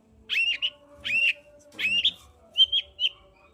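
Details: Long-tailed shrike singing to provoke a quiet bird: three rising, slurred whistled phrases followed by short sharper whistles, about one phrase per second.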